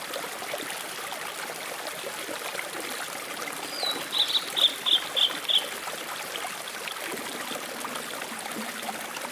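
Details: Song of a blue-and-white flycatcher recorded on 14 May 2011 at Mount Mitake's Rock Garden in Ome, Tokyo, Japan, next to a small stream: one brief slurred whistle, then about six clipped high notes in quick succession, over constant trickling water.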